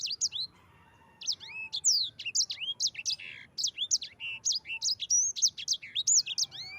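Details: Yellow-fronted canary song used as a master recording to train other birds: rapid bright whistled notes, many sharply rising or falling slurs, delivered in quick repeated bursts after a brief pause, with a faint low background hum.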